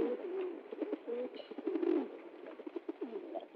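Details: Several pigeons being fed in the jungle make overlapping low coos and short wavering moans over constant tapping and pecking.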